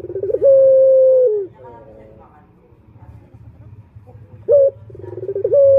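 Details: Turtle dove male's luring call meant to draw in males: a sustained steady coo ending in a downward slide and soft murmurs, quiet gap, then a short clipped note and the rising trill of another phrase.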